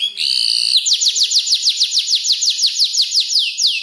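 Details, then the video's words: A five-month-old canary learning to compose its song from tutor birds such as ciblek and prenjak lumut delivers a steady rolling trill of rapid, sweeping high notes after a short introductory whistle. "Kicau burung kenari gacor noto lagu U 5 bulan"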